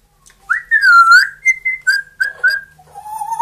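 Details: Two pet parrots kept indoors, a grey parrot of two years and an Amazon of one, whistling: a loud swooping whistle followed by short clear notes on one pitch, then a lower rising tone.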